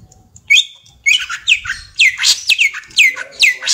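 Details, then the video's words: Young greater green leafbird, a caged bird, giving a varied song of bright, sweeping and down-slurred whistled notes in quick irregular phrases, with low indoor background hum. "Cucak Ijo Balita Doyan Ngentrok"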